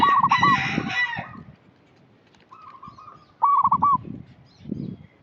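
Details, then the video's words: Local zebra dove, a lively singer, recorded as a lure call for untrained birds. A harsh, noisy burst opens the clip, then after a quiet gap one clear phrase of rapid stuttering coos ending in a rolled flourish. "Perkutut lokal gacor suara cocok untuk pancingan yang masih bahan"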